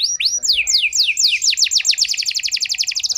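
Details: Canary song used as a lure to rouse canaries in poor form: a few long downward-sliding whistles accelerate into a rapid, regular rattling trill of short notes.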